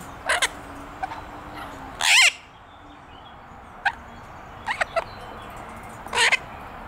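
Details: Six-month-old Illiger's macaw kept as a pet, at play in a garden: scattered raspy squawks with one strong, drawn-out harsh screech early on and another toward the end, quiet gaps between.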